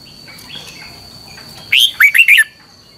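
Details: Red-whiskered bulbul training song, giọng kép xoắn dài style, used as a lure to teach other birds. Faint soft notes come first, then one loud phrase of four ringing, twisting whistles. A thin constant high tone sounds throughout.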